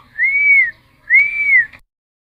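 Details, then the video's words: Cucak timor whistling, played as a lure for wild-caught birds: two long, smooth whistled notes, each rising then gently falling, separated by a short gap. "Cucak Timor Gacor Full Isian MP3 Untuk Pancingan Burung Bahan"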